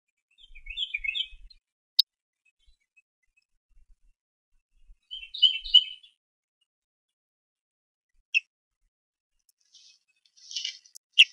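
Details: Eaglet at the Harrison Bay nest on 5 May 2015, trying to feed itself after a parent ate without sharing; three bursts of high, chittering chirps spaced several seconds apart, with sharp clicks between them.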